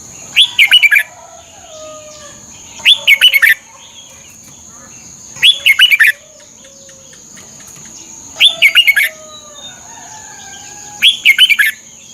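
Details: Thai red-whiskered bulbul song for training birds: five short, bubbly phrases of quick rising whistles, repeated at fairly even intervals of about two and a half seconds, with an unchanging high tone throughout.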